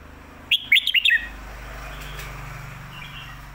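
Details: Red-whiskered bulbul giving one 'Phat Kuai Tiao' master-song phrase of five rapid, clear whistled notes, rising and falling, against steady background noise and a low hum.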